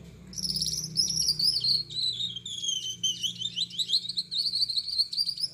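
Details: Male Gouldian finch with yellow back, red head and white chest singing vigorously at night: a continuous thin, buzzy, wavering high song with rapid trilled notes, over a faint low hum.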